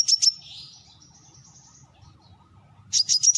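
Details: Brown-throated sunbird uttering a pair of high chirps, then a long quiet stretch with faint thin trills before a fresh burst of sharp, rapid notes.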